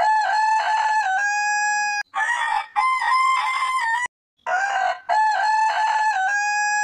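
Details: Loud, clear crowing by roosters of heritage chicken breeds: long level harmonic notes with small pitch steps, nearly continuous apart from a short break midway and brief gaps between crows.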